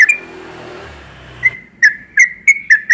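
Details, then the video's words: Morning song of a yellow-vented bulbul: after about a second and a half of low rumbling noise, a series of bright, liquid whistled notes arrives in short bursts, each slurring up or down. "Burung trucukan yang sering berkicau di pagi hari"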